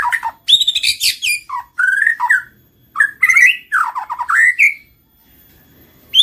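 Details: White-rumped shama (murai batu) lure song meant to provoke singing and mating: loud varied phrases of rich slurred whistles, harsh notes and downward-sweeping trills, broken by short pauses.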